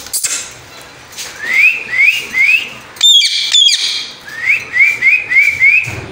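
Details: Pet Indian ringneck parakeet indoors: a run of three short, clean rising whistles, then two harsh, buzzy squawks, then five more quick rising whistles in a row, with faint speech nearby.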